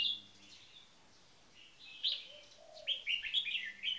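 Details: Caged red-whiskered bulbul song from a first-position marathon frequency singing bird and a newly caged bird: a pause, then lively warbled chirps rising in intensity, with a soft low gliding note mixed in.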